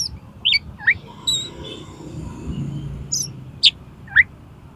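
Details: Oriental magpie-robin used as a tutor and lure recording for contest birds. Sparse, separated whistled and upslurred notes, about half a dozen over a few seconds, over a soft, steady background murmur.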